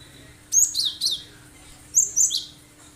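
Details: Cinereous tit (gelatik batu) in lively 'tembakan' song, used to lure other birds into singing: a three-note phrase of bright, high, down-slurred whistles, a pause, then a second two-note phrase; faint hum behind.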